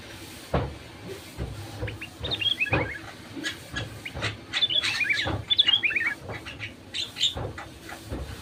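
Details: Sooty-headed bulbul giving repeated short bursts of bubbly, downward-slurred notes, played to stir other bulbuls to sing, amid frequent sharp clicks and knocking in the background.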